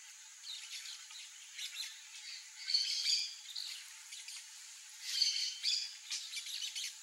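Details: Harsh, grating screeches of wild peach-fronted parakeets, quiet at first, then two loud bursts of rasping calls with a brief ringing note in each, set against constant high hiss.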